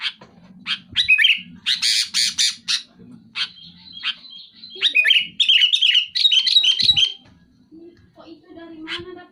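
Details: Sooty-headed bulbul pouring out loud, rapid song against a rival: harsh rasping bursts, then fast, tumbling warbled phrases, with a low background hum.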